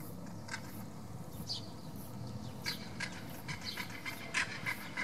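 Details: Southern crested caracara (carancho) at San Cristobal, Santa Fe, Argentina, 11 February 2024, calling while moving its neck: a series of harsh, dry broadband rattles and clicks in uneven bursts over a steady low rumble.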